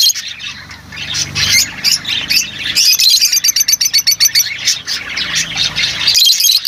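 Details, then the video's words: Lovebirds singing: busy high chattering turning into a rapid string of clipped, shrill chirps about four per second, with a faint low hum underneath. "Huni ng Lovebirds | Love birds Singing [ Call Sound ]"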